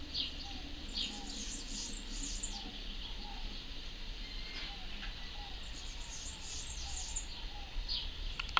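Parrotlets give two bursts of high, buzzy twittering chirps about four seconds apart, with faint soft lower whistles and a steady low background rumble.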